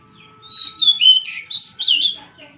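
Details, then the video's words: Plain prinia singing actively at night: a clear, high whistled warble of sliding and looping notes, ending in a rising-falling flourish, on a quiet background. "burung decu gacor di malam hari"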